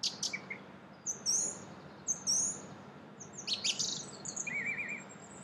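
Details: A Song thrush in Brussels, Belgium, in April 2016 sings bright, high whistled phrases, one phrase given twice in a row, then a short rattling trill, over faint background hum.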